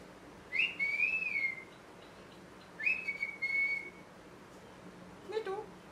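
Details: Parrot making two drawn-out whistled calls, each rising then wavering and falling, about two seconds apart, with a short low chirp near the end.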